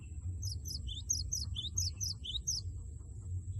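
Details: Gelatik batu (cinereous tit) song used to provoke a rival: about a dozen high, sharp paired notes in a quick series over constant low-pitched background noise.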